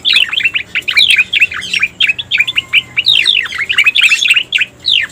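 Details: Striated grassbird (cica koreng) calling for luring birds: long runs of rapid, bright chirps that slur downward, delivered almost continuously with brief breaks, lively and scratchy, with no other clear sounds.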